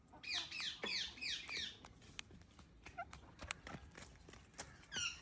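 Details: Pet parrot making rapid clicking sounds, about three per second, mixed with bursts of harsh, chirpy squawks near the start and again at the end; indoor background.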